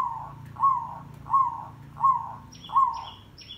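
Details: Zebra dove song used as a trapping lure, dense and lively: short purring coo notes repeated about every 0.7 seconds, while another bird adds high, thin whistles near the end.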